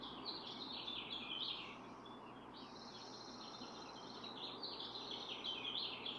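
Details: A Barn Swallow pair on its nest of 4 eggs, incubating since June 6 and taking turns, twitters in quick, chattering runs of high chirps, several a second, over a steady hiss.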